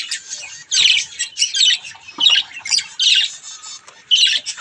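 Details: Baby budgies having mirror fun: loud rasping squawks come in separate clumps roughly every half second to second, each burst gritty and high, with short quiet gaps between.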